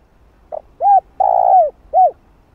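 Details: Spotted dove giving a calling coo, used to stir up and train a decoy bird: a short soft note, then a two-part phrase of a clipped coo, a long rolling purr-like coo and a final falling coo, over a quiet background.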